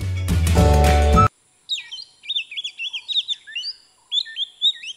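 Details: After a short burst of music, an Oriental Magpie-Robin (Copsychus saularis) in Sri Lanka sings a lively run of clear, varied whistled notes rising and falling, about two each second.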